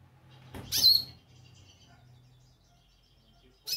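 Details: A single sharp, high chirp from a goldfinch, followed by a low steady hum and the start of another call at the end.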